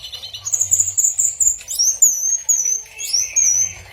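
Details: Orange-headed thrush song: a chain of long, very high, clear whistled notes, some held steady and others sliding up or down, delivered in short phrases with brief breaks between them and a faint low hum beneath.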